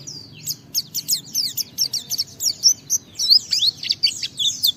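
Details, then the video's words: White-eye in a fast, continuous twittering song, used to provoke other white-eyes into singing: dense, jumbled high chirps and slurred whistles tumbling rapidly without pause. "Suara Burung Pleci ini Raja Menggoda Semua Pleci cepat Ngalas Ngeplong Gacor"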